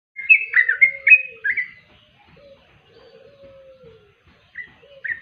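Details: Yellow-vented bulbul, described as a sweet-voiced bird, sings a burst of bubbly, tumbling whistled notes. After a pause come short phrases. A steady, lower drawn-out whistle sounds beneath the song and runs on through it.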